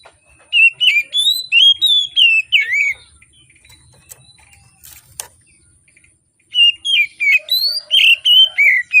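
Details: Energetic morning singing of an Oriental magpie-robin, used to prompt reluctant birds: a rapid string of loud whistled and slurred notes, a quiet gap with a few clicks, then another fast burst of whistles.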